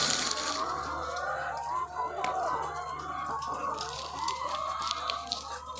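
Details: Dense chorus from thousands of egg-laying chickens on a farm: many overlapping clucking and squawking voices blending into a constant din, with a low steady machinery hum underneath.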